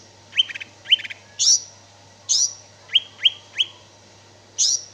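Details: Cicak ijo, the greater green leafbird, singing spaced phrases: short chattering buzzes, high slurred notes and three quick downward whistles, with quiet pauses and a constant low hum.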